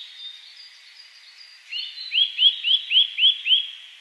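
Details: Eurasian nuthatch recorded 1 May 2010 in Hakuba village, Nagano, Japan: faint thin high notes, then six quick rising-and-falling whistled notes, about four per second. No other sounds.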